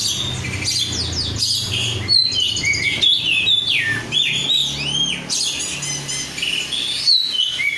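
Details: Kacer, an oriental magpie-robin kept in a cage and described as singing constantly, pours out dense high twittering and sweeping whistled notes, including arching slurs, over a low background hum.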